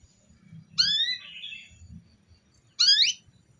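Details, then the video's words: Female canary calling to urge a male canary into song: two separate bursts of steeply rising, bright sweeping notes, the first trailing into a softer warble, over a faint low rumble. "suara kenari betina memancing kenari jantan supaya gacorrr"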